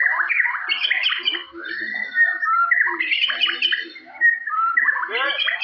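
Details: White-rumped shama (murai batu), a forest-type Medan bird from Indonesia, singing a full 'nembak jalilin' repertoire: loud varied whistles, sweeping slurs and chattering phrases delivered continuously with brief dips in volume.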